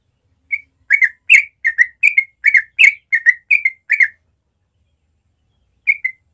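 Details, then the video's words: Morning 'ropel' song of a yellow-vented bulbul, played to encourage young birds: a single whistle, then about three seconds of rapid bubbly doublets, silence, and a final short phrase. "Masteran Trucuk ropel suara alami pagi hari cepat merangsang trucuk muda belajar ropel"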